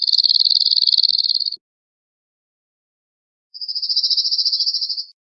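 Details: Cirl bunting song: two flat, buzzy rattles of fast repeated notes at a steady high pitch, the second slightly softer at its start, with a silent pause between them.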